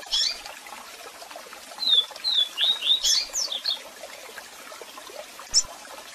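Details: Double-collared seedeater giving a strong, unusual song mixed with calls, set against a waterfall sound for song training: a run of short whistled down-slurred notes, then a quick burst of higher notes, a lone chirp later, over steady rushing-water hiss.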